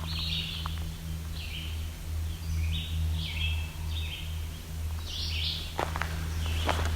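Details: Barn swallows flying overhead on a forest side trail on Ontario's Bruce Peninsula give brief, bright chirping calls, not song, in loose irregular bursts, over a steady low rumble with cows in the background.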